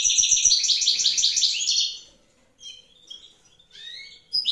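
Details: European goldfinch singing in the wild during evening, one of a pair with the female incubating eggs; a loud two-second run of rapid tinkling twitters, then sparse short chirps and thin notes.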